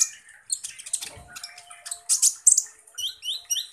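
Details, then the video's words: Van Hasselt's sunbird, the kolibri ninja, in 'tembakan kasar' song: dense, scratchy high chatter with a faint low thump partway through, ending in quick rising whistled slurs. "Dengan CEPAT konin NYAUT dan GACOR dengar SUARA BURUNG Kolibri Ninja Full Tembakan Kasar ini"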